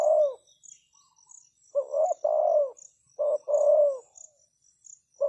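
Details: A decoy spotted dove calls to draw in wild doves. Low, rough coo phrases follow one another closely, each a short note leading into a longer rolling coo, a fresh phrase starting at the end, under high buzzing insects.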